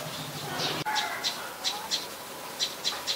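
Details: Adult common tailorbird, a common resident, in Ubon Ratchathani, Thailand, on 27 January 2021. It gives short, sharp, high notes in quick succession, about three each second and slightly uneven. One click sounds near the start, over a low background hiss.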